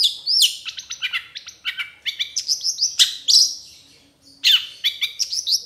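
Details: Long-tailed shrike tutor song, played to train caged shrikes and spur them to sing: rapid, varied high chirps, sharp downslurred whistles and buzzy notes in dense bursts, a brief pause near four seconds, then more quick chattering phrases.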